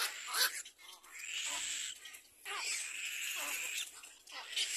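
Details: Chick of a little black cormorant crying as its mother feeds it, with long, strained wheezing squeals, some sliding downward at the end, separated by short breaths.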